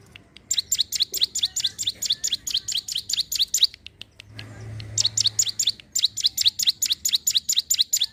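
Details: Sunda warbler singing actively, played to lure wild birds: rapid series of thin, high, downward-flicking chirps, pausing for about a second midway before resuming, with a light low rumble behind.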